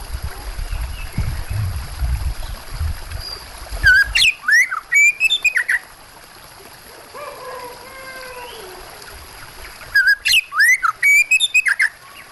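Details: Kacer (Oriental magpie-robin) song with splashing water: loud, sharp whistled notes and rapid bursts, sweeping up and down, in two outbursts, with a softer lower bird call between them and water splashing at the start.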